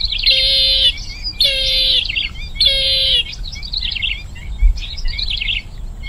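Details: Bronze-winged jacana, called jolpipi in Bengali, giving three loud buzzy, nasal calls about a second apart, each with a steady low undertone, followed by softer wavering chirps from other birds.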